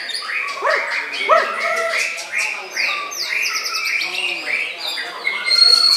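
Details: White-rumped shama in an aggressive bowing display, singing a fast run of loud rising whistled notes and sweeping phrases, with buzzy high trills in the middle and a sharp high note near the end; faint voices behind.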